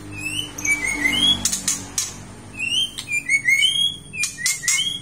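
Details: Aceh white-rumped shama in lively song: flowing slurred whistles at mid and high pitch, interrupted by harsh clicking bursts, the whistled phrase repeated twice.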